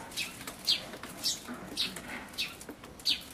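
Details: A Eurasian tree sparrow adult feeding chicks at a feeder, filmed on 28 May 2013 with an Everio camcorder. Short, high chirps come singly, roughly twice a second at an uneven pace, over a faint background hiss.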